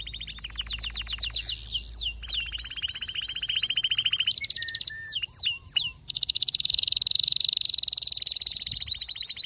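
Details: Agitated male canary sings a chain of varied tours: quick chipping trills, paired whistled notes, a short low dip, crisp downslurs, then an extended high, buzzy rattle.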